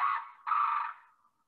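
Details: Blue crane (Grus paradisea) alarm call, warning a mate of danger such as an approaching person: two harsh, rasping calls, the first brief, the second longer and trailing away.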